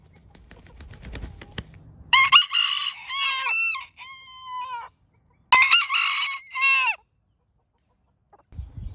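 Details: Roosters crowing in turn: a long multi-part cock-a-doodle-doo with falling final notes, a quieter answering crow, then another loud crow after a brief silence, with faint low clatter at start and end.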